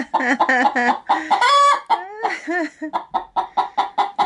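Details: Pet hen preparing to lay an egg in a sack of chicken food, disturbed by an approaching person: clucks leading into long wavering, rising-and-falling squawks, then a steady string of short, evenly spaced clucks.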